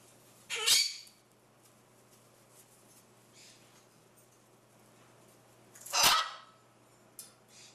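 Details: Chattering pet macaw indoors giving two sharp, harsh screeches about five seconds apart, with faint quiet sounds in between.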